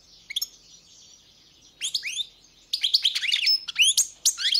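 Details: European goldfinch song beginning softly with scattered chirps, then building into loud, fast twittering with sharp upward and downward slurred notes.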